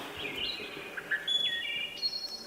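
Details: Wood thrush song, a male singing to establish territory and attract a mate, played from a phone app. Layered flute-like whistled notes with rising and falling slurs and a high trill near the end.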